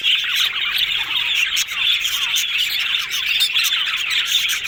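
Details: Yellow budgies talking contentedly: a chorus of rapid chirps, squawky notes and short descending squeaks layered into constant chatter, with brief dips in loudness.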